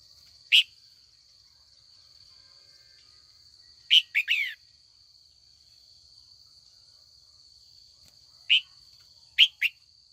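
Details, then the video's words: A female red-whiskered bulbul, trained to call older wild-caught males into competitive singing, calls in the afternoon: scattered short bright notes and one three-note falling run spread across ten seconds, over a continuous high-pitched hum. "Luyện chào mào mái chiều gọi bổi già rừng hót đấu"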